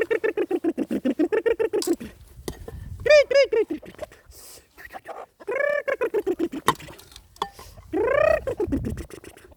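Chickens give a rapid run of about a dozen low, rhythmic clucks, then several drawn-out, arching squawks that rise and fall.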